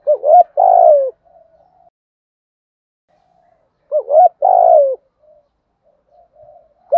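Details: Spotted dove 'thúc gù' cooing in a deep 'giọng thổ' voice, said to suit luring wild doves: two phrases roughly four seconds apart, each a brief warbled note then a long coo falling at the end, faint low cooing in gaps.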